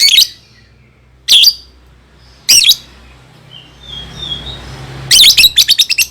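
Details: Lovebird recording used to train young birds to sing: sharp high chirps in short bursts about a second apart, soft whistles in between, ending in a rapid chattering series of clicks.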